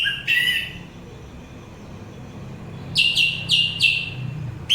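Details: Orange-headed thrush recording used to calm listeners and attract birds: a rising slurred whistle, a pause, then four quick, evenly repeated bright notes about a quarter second apart.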